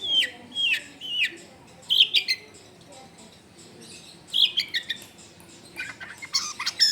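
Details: Long-tailed shrike, recorded at home in a densely populated area, giving short bursts of 'full isian' song: squeaky slurred whistles and rough chattering notes in groups, separated by gaps of a second or more.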